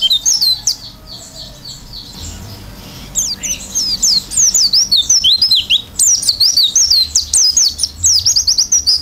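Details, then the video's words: Oriental white-eye with open beak in full song: bright high sweeping whistles and quick twitters, briefly quieter near the start, then a dense continuous run of rapid chirps. "pleci gacor isian buka paruh"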